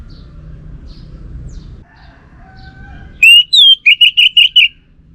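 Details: Caged orange-headed thrush singing without pause: faint scattered notes and a quiet hum, then a loud, clear whistled note, a downslurred whistle, and a rapid run of short, bright repeated notes.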